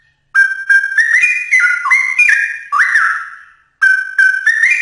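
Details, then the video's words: Straw-headed bulbul song used for training songbirds: loud, mellow, gurgling whistled phrases with quick rising and falling notes, a short pause, then the bubbling phrase starts again. "Cucak Rowo Gacor Untuk Latih Mental Burung Kicau Anda"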